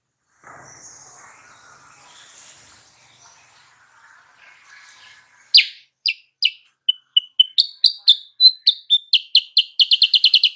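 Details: After several seconds of faint background hiss, a sooty-headed bulbul lure used to provoke a rival into replying starts with loud separate chirps. They quicken into a fast, tightly packed series of high clipped notes.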